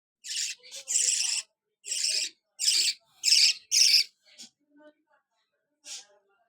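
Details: A young pet budgerigar, a baby parrot, gives harsh, raspy begging calls in quick, uneven bursts while being fed.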